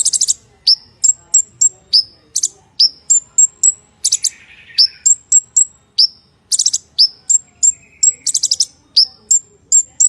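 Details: A sunbird, recorded as a lure or training sound for other sunbirds, sings a fast, high-pitched string of sharp chips and downslurred whistles, broken by brief thin buzzy trills.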